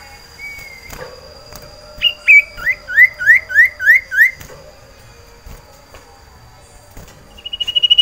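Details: Caged sirtu, a common iora in breeding condition, calling for a female: a slurred whistle, then a run of six or seven rapid repeated chirping notes, quiet pause, and a building trill at the end.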